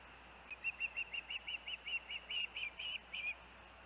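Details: Osprey at the Hellgate nest with its young on August 23, 2024: a softer, slightly distant string of about a dozen thin whistled chirps, each slightly rising, over a hissy background.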